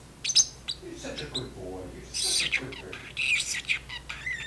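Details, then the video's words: Caged pet parrotlet talking with its owner while dishes are washed, going through phrases like offers of seeds and carrots; soft mimicked speech-like murmurs mixed with high chirps and squeaks. "Milo the Chatterbox (talking parrotlet)"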